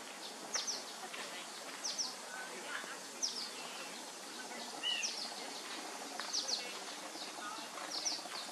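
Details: Violet-green Swallow fledglings recorded 7/4/21 in Lane County, Oregon give thin, high chirps about every second and a half, with a few lower twittered notes over steady hissing background noise.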